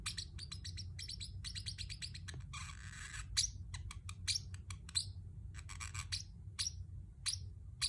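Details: A pet Pacific parrotlet gives clusters of quick chirps, a harsh grating squawk lasting about a second, then louder separate chirps that bend downward, over a faint hum.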